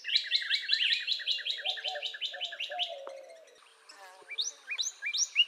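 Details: Northern Cardinal song: a fast run of about a dozen bright, evenly spaced chip-like notes lasting over three seconds, then scattered rising whistles; a low steady hum sits beneath the opening series.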